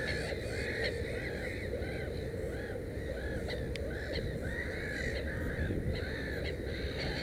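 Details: Black-headed gull at a nest with three chicks, 16 May 2015, gives harsh, arched, crow-like calls in quick overlapping series, with other calls behind and a steady low rumble of wind.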